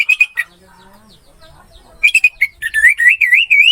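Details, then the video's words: Anis merah, or orange-headed thrush, singing on a masteran tutor track: a few clipped whistled notes, a quiet pause, then a burst of notes flowing into a loud, rolling, wavy warble. "MP 3 MASTERAN ANIS MERAH MACET BUNYI"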